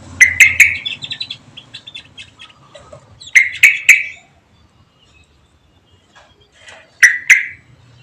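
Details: Home-kept songbird serving as company for a Javan white-eye; loud clusters of two or three sharp harsh notes repeat three times, with quieter high chirps between and a low hum at the start.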